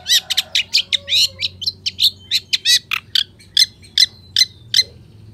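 A long-tailed shrike pours out a fast, varied run of sharp, high chattering notes and mimicked phrases, about two or three per second, with low background hum.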